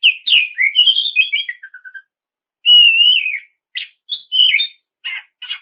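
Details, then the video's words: Oriental magpie-robin singing continuously as a lure to provoke rival birds into song: clear whistled phrases, some slurred and rising, a falling series of short notes, then a long warbled whistle and sharp clipped notes, with no background sounds. "KICAU PANCINGAN SUARA KACER GACOR NGEPLONG MEMANCING LAWAN UNTUK BUNYI LANGSUNG NYAUT"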